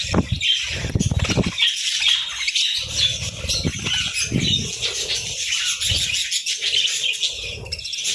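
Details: Budgerigars chirping in the morning, their high twittering chatter broken up by loud bursts of wing flapping and fluttering.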